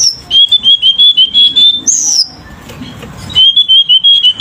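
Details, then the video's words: Vigorous song of a selendang biru bird: a steady series of clear, level whistled notes repeated rapidly, broken by one higher slurred whistle and a short pause before the series resumes. "Burung Selendang Biru GACOR !!!"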